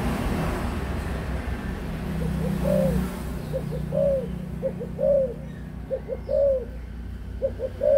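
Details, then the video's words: Spotted dove, adult, repeating its cooing phrase: paired quick soft notes then a fuller drawn-out coo, about once a second, over a steady low hum. "cu gáy trưởng thành"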